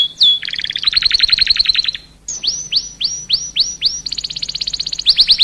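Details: Canary in full, continuous song, used as a lure to set other canaries singing: fast buzzy high trills, then a run of repeated downward-sweeping whistles about four per second, ending in rapid chattering rolls.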